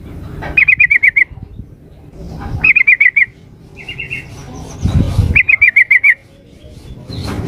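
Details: Lure call of a female yellow-vented bulbul summoning the male: three rapid chattering trills of clipped, slightly falling notes about two seconds apart, a softer short rattle between them, and light background rustle.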